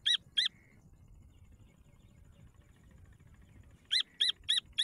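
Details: Grey francolin chicks: sharp, high-pitched peeps given as a quick pair, then silence, then a run of four evenly spaced peeps, over a very quiet background.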